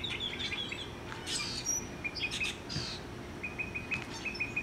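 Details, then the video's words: Mockingbird serenading over a yard, about 50 yards off and 30 feet in the air: high thin whistles, then a run of evenly repeated short chirps, with some rustling bursts and low background hum. "Mocking Bird Serenade"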